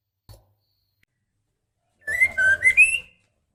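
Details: Female white-rumped shama in breeding condition calls to the male with a single short whistled phrase of three clear notes, dipping and then rising, following a soft thump and near silence.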